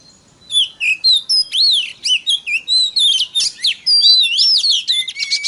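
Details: Oriental magpie-robin singing as a provoking lure for other kacer birds: a loud run of varied whistled phrases, swooping up and down, with chattering notes and a few longer pure tones.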